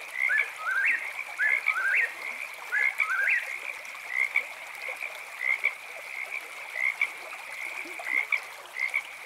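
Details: Eastern whip-poor-will at night gives three quick whistled phrases with upswept endings, then falls silent while a frog chorus continues with short high chirps every second or so.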